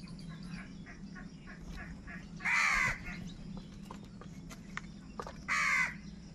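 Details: Two loud, harsh caws about three seconds apart from crows squabbling over food, with faint clicks and a constant low hum between them.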